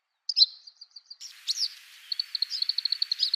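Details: Eastern yellow wagtail (Motacilla tschutschensis) singing on the Shimo-Sarobetsu wilderness nature trail, Hokkaido: a thin, high, buzzy opening note followed by a fast series of sharp, high ticking chips, with faint background hiss.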